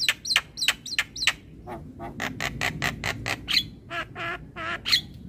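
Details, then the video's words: Javan myna morning song aimed at young birds: four paired whistled, yelping notes, then a long sequence of grating, squawky rasps with occasional sharp whistle accents. "Pancingan jalak Kebo pagi hari"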